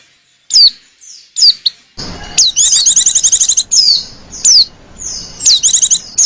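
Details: Female white-eye giving coaxing calls used to lure other white-eyes: sharp, high downslurred whistles that break into fast, bright twittering trills, with soft background hiss.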